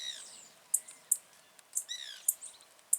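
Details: Blue-black grassquit singing in the wild: sharp, very high clicking notes repeated about once per second, mixed with short downslurred chirps and faint thin whistles.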